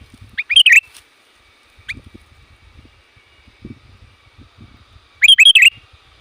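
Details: Sooty-headed bulbul calling loudly to lure wild bulbuls: two short bursts of bright, bubbly chirps about five seconds apart, with faint low knocking sounds in the quiet gap between them.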